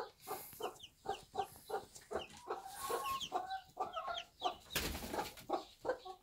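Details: Bantam mother hen tending one-day-old chicks in a backyard farm setting; low soft clucks repeat steadily, several per second, mixed with faint chick cheeps and a short burst of rustling noise.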